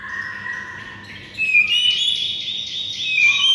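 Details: White-rumped shama morning song used as a master recording for training other birds: long steady whistled notes, then higher bright ringing phrases that grow louder near the end, over a faint steady low hum.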